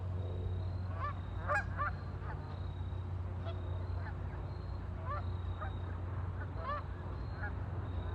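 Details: Ducks on a lake giving short, honking calls, scattered singly and in brief bursts over eight seconds, above a steady low hum and a faint high whine.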